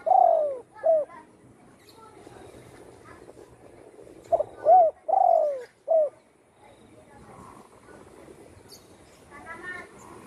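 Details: Home-kept spotted dove, recovered from a gunshot wound that broke its wing, cooing steadily: one phrase opens the clip and another follows in the middle, each ending in a long descending coo and a clipped final note.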